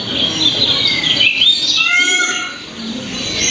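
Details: Red-whiskered Bulbul, a bird of Belgaum, played at a school bird-identification talk: lively chattering whistles sweeping up and down, with a few clearer falling notes in the middle.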